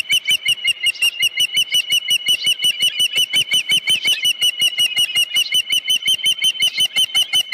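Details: Continuous loud, shrill whistled chirps from an osprey at its nest, repeated nearly three times a second without a break. Recorded 31 July 2018 around 9:43 in the morning, with a headless fish at the nest.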